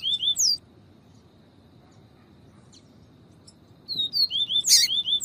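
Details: Viviti-style singing of a Double-collared seedeater mixed with female calls, meant to excite a cold male into song. A short high chatter, a long pause, then a rapid run of thin slurred whistles.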